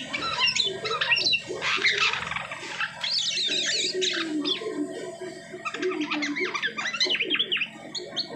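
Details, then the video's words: Varied song of an Asian pied starling after moulting: harsh rasping bursts mixed with warbled and whistled notes and lower gurgling sounds, loud and continuous, with a low hum underneath. "SUARA UNIK JALAK SUTRA ATAU JALAK KAPAS"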